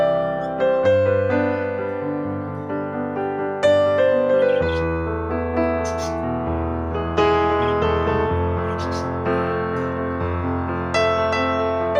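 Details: Soft piano or electric keyboard music plays throughout, its chords ringing and overlapping. No bird or other animal calls can be picked out.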